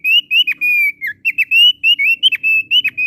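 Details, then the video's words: Continuous bright song from a thick-billed heleia: a chain of sustained high whistled notes broken by short dips and slurs, delivered energetically and melodiously with barely any pause. "Suara Burung Opior Paruh Tebal Gacor Merdu"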